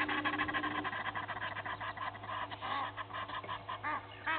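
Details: Egyptian geese of two families squabbling at Gowrie dam, Djuma Game Reserve, South Africa, early morning; crowded, busy honking and chatter, arched notes near the end, a low hum under it all.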